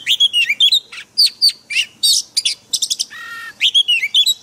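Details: White-rumped shama singing in a wild, forest style, used for training caged birds: a rapid, varied run of clear whistles, sharp chips and a brief buzzy trill, with notes changing pitch constantly.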